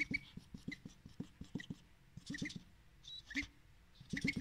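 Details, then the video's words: Pet male duck asking for more salad at breakfast: rapid regular clicking of the bill while eating, broken by short thin high peeps and little squeaky bursts. "Duck eats salad for breakfast, begs for more with cute thin baby voice"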